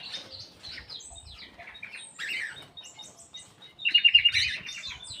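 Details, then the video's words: Aviary-kept black-capped bulbul giving varied high chirps and slurred notes, ending in a quick rattling series of sharp notes; faint low rustling beneath. "KICAU KUTILANG EMAS \ CUCAK EMAS GACOR"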